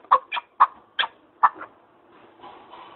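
A partridge gives six or seven short, harsh clucking notes at uneven intervals, mid-pitched and chuckling. Fainter, drawn-out clucks follow in the last second.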